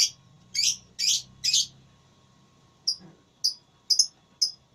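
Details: Lovebird in a singing contest, giving short shrill chirps in a burst of three, then sparser high chirps at irregular intervals against a quiet background hum.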